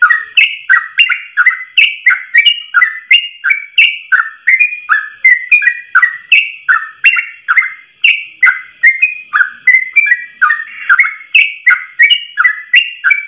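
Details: Long ropel song of a Yellow-vented bulbul, sung in one breath and offered as a tutor for caged birds: a fast, continuous stream of bubbling whistled notes, nearly three each second, with crisp clicks throughout.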